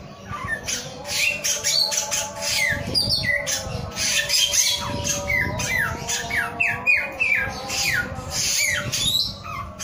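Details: Male samyong in full, lively song: a long series of crisp down-slurred whistles, some doubled into rapid pairs, keeping up for nearly ten seconds over a low constant hum.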